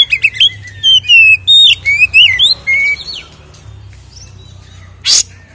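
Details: Fighting-style 'ngeplong tarung' song of an Oriental magpie-robin (kacer), a lure to rile other kacer: loud rich whistles swooping up and down in a fast burst for three seconds, then quiet before a single harsh rasp.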